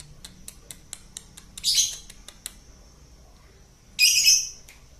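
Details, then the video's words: Lovebird singing ngekek style as a lure recording: a string of dry ticks leads into a harsh, high rasping burst, then a quiet pause and a second loud screechy burst. "loberd ngekek"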